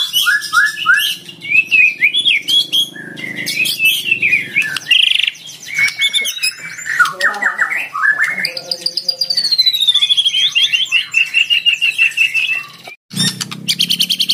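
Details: Oriental magpie-robin, a caged fighter bird, luring and challenging a rival with busy song: quick whistled notes, harsh squawky passages and a long run of rapid trilled notes, followed by a brief break.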